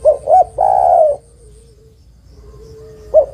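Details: Female spotted dove calling a male, a lure recording for trapping. One phrase of two short coos and a drawn-out coo, a quiet gap with a faint thin tone, then the start of another coo.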